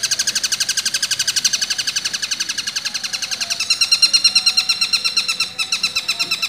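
A long-tailed shrike gives a long, steady run of harsh, high chattering notes, about seven a second, copying a kingfisher's call.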